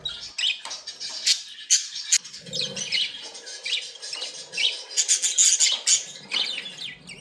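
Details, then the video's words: Budgerigars in a happy, playful mood producing lively high chatter of clicks, squeaks and chirps, dense and irregular, growing busier toward the end, over soft low background sound. "Happy & Playing Beautiful Budgies sounds"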